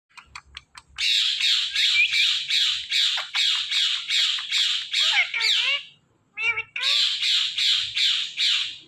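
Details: Rose-ringed parakeet, a talking ringneck parrot, giving a rapid series of harsh, raspy squawks about two per second, with a short pause and then more squawks, plus a few thin chirps at the start.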